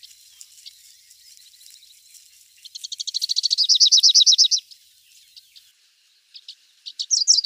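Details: Rufous-capped warbler (Basileuterus rufifrons) song: high ticking notes build into a dense, accelerating trill of bright chips lasting about two seconds, then scattered single chips and a new rising phrase beginning, over faint background hiss.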